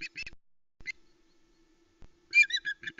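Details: Female osprey at a Loch Arkaig nest, 1 September 2020, calling around a fish delivery by the male: a few high, harsh squeaks in short bursts, with pauses and a faint steady hum behind.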